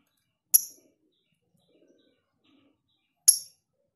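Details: Lovebird, long ngekek style used for tutoring birds: two identical crisp, piercing high chirps nearly three seconds apart, with near silence and only faint low ticks in between.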